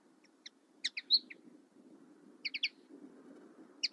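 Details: A common linnet (Linaria cannabina) sings short bursts of bright, twittering notes, quick chirps in little clusters with brief pauses, over a low background rumble.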